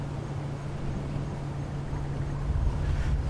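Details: Deep, continuous engine rumble from a sunrise safari drive swells slightly toward the end, with no animal sound heard.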